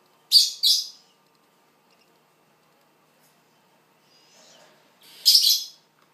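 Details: Juvenile barn owl being fed, alongside a young African wood owl: two loud, harsh hissing bursts in quick succession, then a quieter pause and one longer rasping hiss near the end.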